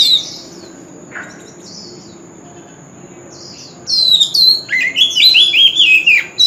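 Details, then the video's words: Male white-rumped shama in continuous contest singing with a forest-standard voice: mostly soft scattered notes at first, then a burst of loud, rapid whistled and warbled phrases. "Chòe Than Trống Hót Liên Hồi – Âm Thanh Chuẩn Giọng Rừng - Chích Chòe Than Hót Đấu"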